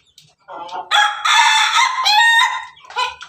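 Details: A red Ayam Ketawa rooster standing on top of its cage delivers a melodious crow. It opens with rising notes, holds a long, loud, harmonic stretch, then ends with stuttering, laugh-like segments that trail away.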